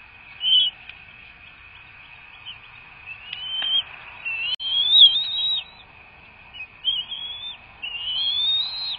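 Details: Feeding time for bald eagles at a nest in Florida, 3 May 2024: scattered high thin whistles, first isolated, then wavering slurred calls clustered in the second half, with a few faint knocks and a steady hum beneath.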